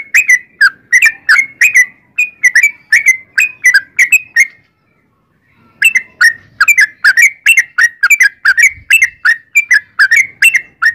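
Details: Sooty-headed bulbul, long gacor ropel song: brisk sequences of fluty slurred notes, several per second, running for over four seconds, a pause, then resuming equally rapid for the rest of the recording.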